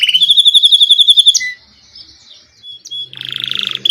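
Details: Belgian canary giving a quick, regularly pulsed high trill, followed by a quiet pause with soft notes and then a coarse buzzing rattle.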